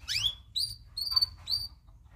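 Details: Local loper canary in tutor song, giving four clear whistled phrases within two seconds, the first a steep rising sweep, the rest short bright level notes.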